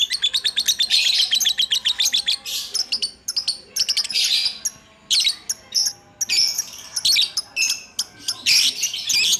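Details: Pet lovebird in continuous ngacor-style chattering song: a fast run of sharp, evenly repeated high chirps, then dense buzzy bursts and clipped twitters broken by brief pauses, sustained throughout.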